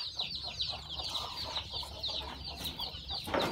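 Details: At a farm, chicks just hatched from a hen's eggs give rapid, thin, high cheeps in a dense overlapping chorus. A steady low hum sits beneath, and a louder sound comes at the very end.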